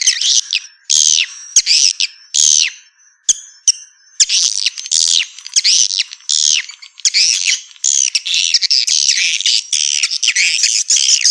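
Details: Swiftlet lure call, the Black Star style, used to attract young swiftlets into a new nesting building: dense bursts of high chirping twitters with bright harmonics, clustered in rapid irregular bouts with short gaps.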